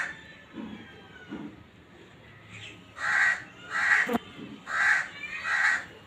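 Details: Breeding call of a black francolin: after soft low sounds at first, four loud, coarse notes follow in a steady run roughly every 0.8 seconds, with a brief sharp click among them.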